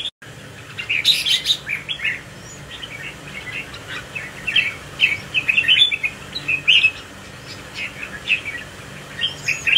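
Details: Red-whiskered bulbul of the crested 'mào đinh' type, swaying in display, seen close up: a run of short bright chirped and whistled notes, some rising, in quick bursts over about ten seconds, with quieter chirps behind.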